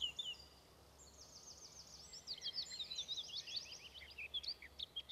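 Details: Eurasian skylark singing a high, rapid, trilled warble with fast repeated buzzy phrases, then scattered chirps, over a faint low hum.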